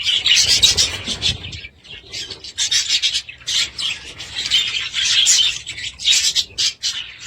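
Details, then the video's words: Budgies at home chattering in a rough, buzzy warble of high notes, loud bursts separated by short lulls. "Budgies sound"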